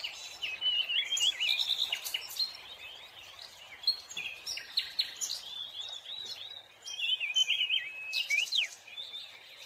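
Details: Scarlet minivet (Pericrocotus speciosus) calling: thin, high whistled notes mixed with rapid twittering chatter, in bursts across the clip over a faint hiss of background noise.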